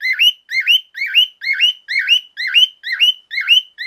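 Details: Male pet cockatiel with a loud call, a series of hoarse, harmonic-rich whistles sweeping up from a dip, given about twice each second in an even rhythm.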